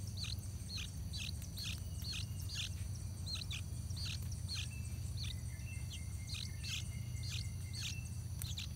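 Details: Nestling yellow-vented bulbuls on fledging day, parents feeding all the time; rapid series of short hooked chirps, bunched then pausing, a thin level whistle near the middle, all over constant high buzzing and low rumble.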